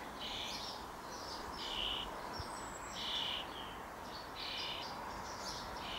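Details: Begging juvenile common starling, likely soon fledging, hungry and receiving food: scratchy, hoarse bursts roughly every second, uneven in length, with a faint thin whistle overhead and steady background noise.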